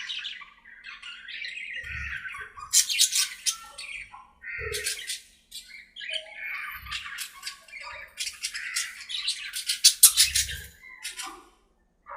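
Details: Budgerigars playing and talking to each other in their aviary: dense warbling chatter of squawks, whistles and scratchy bursts overlapping continuously, with a few low thumps.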